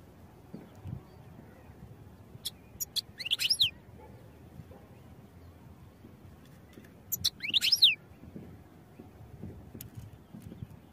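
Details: European goldfinch song for training: two short twittering bursts of high chirps, each ending in a quick descending sweep, about four seconds apart over a quiet low rumble.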